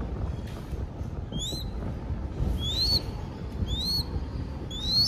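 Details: Crested goshawk chick in Cambodia at feeding time, calling with four high, upward-sweeping whistles spaced roughly a second apart, a faint wind-like rumble underneath.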